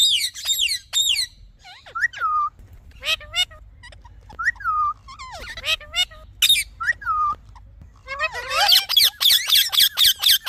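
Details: Talking parrot chattering with quick whistled chirps, ticks and sliding notes, growing into a dense, busy stream of rapid high calls near the end.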